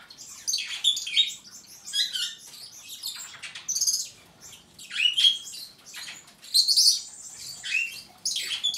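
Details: Superb starling song of rapid chattering notes and squeaky whistles, delivered in repeated bursts with short pauses between phrases.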